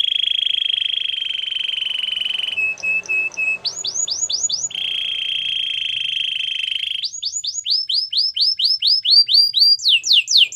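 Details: Canary training song with a long, steady buzzy roll, clipped repeated notes, a few falling swoops, another long roll, then a lively series of downward-sliding whistles speeding up.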